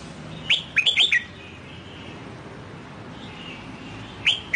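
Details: Red-whiskered bulbul, a newly bought wild-caught bird being trained to sing in the Sông Kon style: one quick burst of bright, warbled whistles rising and falling, a pause of about three seconds, then the start of another burst, over a low background hum.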